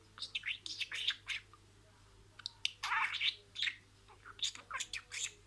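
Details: Pet budgerigar talking, stringing imitated words together: rapid bursts of scratchy, high chattering syllables with brief whistled notes, clustered in two busy runs separated by a short pause, over a quiet room hum.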